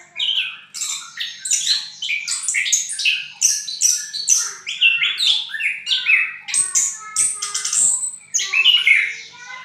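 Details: Punglor merah, orange-headed thrush, in a long ngriwik song: dense, nonstop bursts of chirps, trills and squeaks, mimicry-like variety, pulsing in quick phrases with faint tapping sounds.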